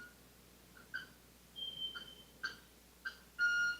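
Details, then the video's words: Male Club-winged Manakin call in Ecuador, a repeated "tick-ting": short clicky ticks, then a longer, sustained, ringing, violin-like harmonic "ting", with a thin whistle from another bird in between. "So that sort of "tick-ting, tick-ting." That's the male Manakin’s call."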